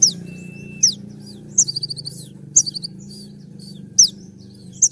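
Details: Kolibri ninja sunbird singing a sharp, rapid song used to make other birds respond: a thin drawn-out whistle, then high piercing downward-slurred notes separated by quick twittered bursts, with a low constant hum beneath.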